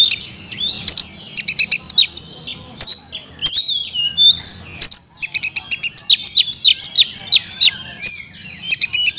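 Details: Caged Oriental magpie-robin singing repeated bursts of sharp clicking chirps and twisting whistles, with short gaps between phrases.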